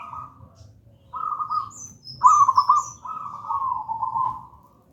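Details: Gedang rojo zebra dove from the wild, a local bird used to lure and train silent doves: rolling coo phrases, one starting with sharp stuttered notes, while high thin chirps of another bird sound briefly.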